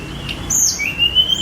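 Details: Sunda robin (tledekan gunung), spotted and let out free, recorded on a phone for mastering; one short high note then a long thin rising whistle.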